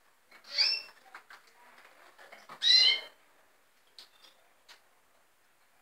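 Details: Red siskins; two loud, drawn-out nasal calls about two seconds apart, then a few faint ticks and quiet chips.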